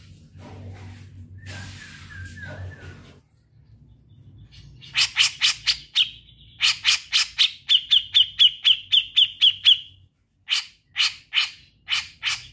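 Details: Grey-cheeked bulbul in chattering song: a soft descending trill over low background hum, then loud harsh rasping notes, a fast even trill of clear chips, and further harsh bursts at a steady pace.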